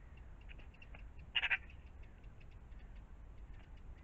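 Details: A magpie gives one quick burst of three harsh, rasping chak notes in the morning around a pond, over a steady background hiss with faint, scattered bird notes.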